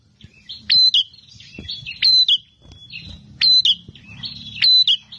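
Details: Bar-winged prinia singing as a combative bird: four loud bursts, each a shrill whistle and buzzy trill, about a second apart, over a background low rumble.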